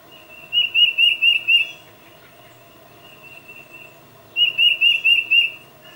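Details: Tufted Titmouse calling its mate, recorded with a Nikon D800 and 600mm lens. Two loud runs of five quick, clear whistled notes repeated at an even pace, with a fainter run between them. A low, steady background hum.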